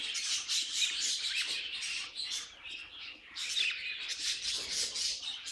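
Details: Several budgies singing in two loud bursts of rapid chirps and grating squeaks, separated by a brief quieter dip in the chatter.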